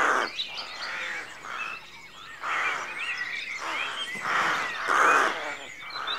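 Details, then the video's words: A dense chorus of rooks at a dawn rookery, with harsh, nasal caws overlapping almost continuously and several louder calls rising above the rest. "Rookery at Dawn"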